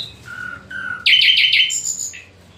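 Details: Nightingale: two drawn-out descending whistles, then a loud burst of rapidly repeated bright notes and a short high trill, ending with a falling note.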